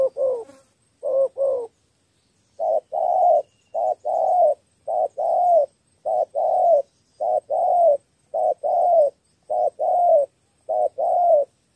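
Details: Spotted dove cooing in the three-note thổ style to lure wild doves. After an opening pair comes a long regular run of low, grainy double coos, a short note and a longer note, steady and rhythmic.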